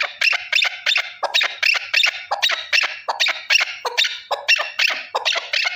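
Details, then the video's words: A male partridge, one bird only, delivers rapid grating notes in close pairs and runs, high and harsh, filling the whole stretch. "Овози кабки нар Голос Куропатка صوت الحجل Partridge's voice صدای کبک"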